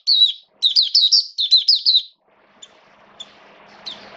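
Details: Caged hobby Oriental white-eye singing on a rainy day, 29 September 2022. Two quick phrases of high, tumbling, slurred chirps in two seconds, followed by near silence with faint ticks.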